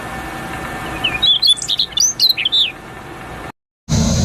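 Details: Prinia in natural surroundings singing a quick series of high, slurred whistles and chirps over a steady low hum, followed by a cut and loud rushing noise.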